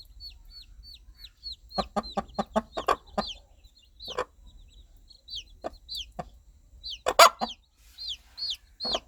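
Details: Rhythmic clucking of a mother hen guiding her young chicks toward food and warmth: a quick series of about eight clucks, then sparser ones, while the chicks give high, falling peeps throughout.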